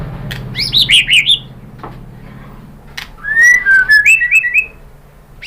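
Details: Lure song of a white-rumped shama, meant to set other birds singing in reply: a wavering run of high warbled notes, a pause, then a loud series of looping whistles over faint low rumble.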